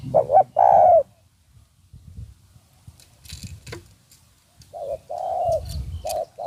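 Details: Spotted Dove cooing during a decoy-trapping session in Thailand with two wild birds said to have come in; two short bursts of low, hollow, slightly rising coos, open and close, separated by a quiet stretch with faint rustling.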